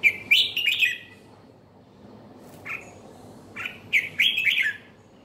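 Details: Red-whiskered bulbul sings bright, warbling phrases of quick, slurred notes in two bursts, the first opening the recording and the second after a quiet gap with short chirps.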